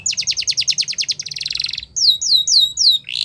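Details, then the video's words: Yorkshire canary singing a training song for young canaries: a fast run of rapid downslurred notes, then a dense buzzy roll, then slower rising-then-falling whistled notes repeated about every quarter second. "The Best Canary Training Song | Yorkshire Canary Singing"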